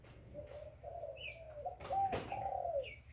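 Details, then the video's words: Young spotted dove giving a short run of drawn-out coos that grow stronger toward the end, with a sharp click midway and a thin higher chirp. "Burung tekukur Muda"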